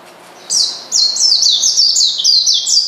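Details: After half a second of quiet, an Oriental white-eye bursts into shrill, rapid chirps that slide downward, calling to provoke a rival.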